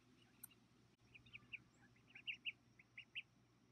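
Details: Several ducklings peep during the 2018 hatching season, at 5:46 PM on Thursday, August 9, 2018. Short, high peeps come in a quick, uneven series of about a dozen, growing louder toward the end, over a faint low hum.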